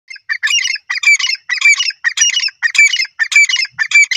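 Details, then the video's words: Francolin, locally called teetar: loud, harsh, squawking notes in tight clusters, each group broken by brief gaps and repeated about every half second, with a thin whistled note inside each burst; no other sounds. "peasant teetar bird top sound francolin awaz"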